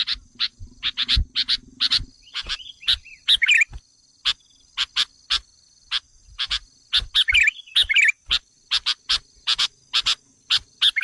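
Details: Sooty-headed bulbul lure recording aimed at provoking wild birds: a long, uneven string of dry, harsh chips, broken by tumbling bubbly phrases near the start and middle, with a low buzz during the first two seconds.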